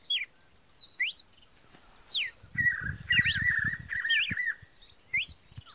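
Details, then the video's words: Red-cowled cardinal singing sharp slurred whistles, some falling and some rising, then a sustained buzzy warbled stretch before more clipped notes. Low rumbling noise sits under the middle of the phrase. "o lindo cantar do galo da campina"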